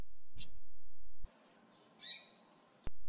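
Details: Female double-collared seedeater sound meant to excite a caged male: two brief, high, bright chip notes about a second and a half apart, separated by stretches of steady background hiss and silent gaps.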